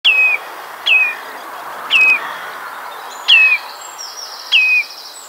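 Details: Common redshank calling while flying by its nest at a loch island near Kirriemuir: clear, ringing downslurred whistles, each a single note, repeated about every second, with faint other bird notes in the background.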